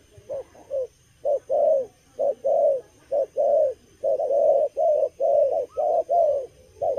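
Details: Young spotted dove, moulting yet very eager, giving a halting cà lăm coo: repeated short, soft mid-pitched coo notes, some run together in doubled bursts, about one per second, over a quiet background hum.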